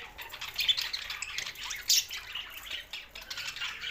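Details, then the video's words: Budgies chattering at a low level, a soft continuous wash of scratchy chirps and squeaks with one louder squawk near the middle. "Budgies Sounds for Lonely Happy singing"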